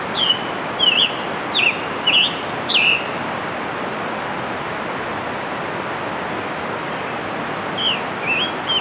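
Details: Scarlet tanager singing on June 3, 2015 in Letchworth State Park, Upper New York State: a run of five hoarse, burry slurred phrases in quick succession, a long pause, then two more phrases, over steady background hiss.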